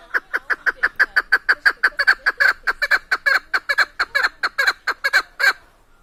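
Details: Tajik female hunting partridge, Chukar keklik, delivers a long, loud run of coarse, rhythmic chuk-chuk clucks, about four a second, ending after five and a half seconds in quiet.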